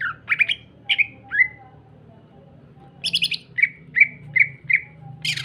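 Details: Greater green leafbird song used to provoke other green leafbirds into singing: clear whistled notes near mid-high pitch, some sliding downward, in two bursts separated by a quiet gap, with brief harsher rasping notes and a low steady hum beneath.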